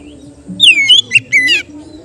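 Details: Oriental magpie-robin, a kept bird, singing a relaxed song meant for training other kept birds: a short burst of slurred, falling whistles and sharp notes, loud and clear over faint low background hum.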